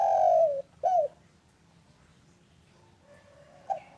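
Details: Spotted dove, a local bird heard in the afternoon and used to prompt silent doves to call. A drawn-out falling coo and a brief arched note end one phrase. A long quiet stretch follows before soft cooing resumes.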